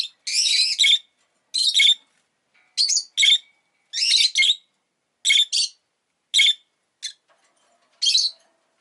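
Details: Rosy-faced lovebird chirping busily: a run of harsh, buzzy, squeaky bursts, some doubled, about one every second for nearly nine seconds.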